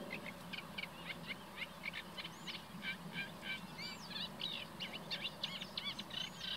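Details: Common reed warbler in the reeds along a medieval drainage canal near Kockengen, Utrecht province, perched very near: quick, grating notes in a jerky series broken by a few rising whistled slurs, with a low rumble beneath.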